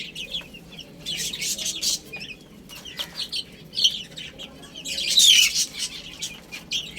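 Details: ['Baby chicks chirp as they feed and play. Thin, high peeps repeat rapidly, with a loud burst of overlapping chirping near the fifth second and pecking clicks between.']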